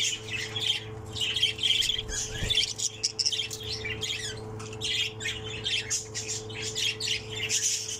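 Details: Last chick still in a nest of six, a pseudo Texas opaline budgerigar, heard in loud scratchy chatter and clipped squawks, with a brief low thump and a continuous background hum.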